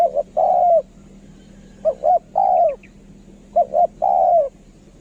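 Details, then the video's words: Spotted dove used for luring calls in steady phrases: double short coos then a longer mellow note falling at the end, three phrases heard, with a low steady hum underneath. "นกเขาใหญ่ สายต่อ เสียงต่อหมานๆเสียงนกคารม"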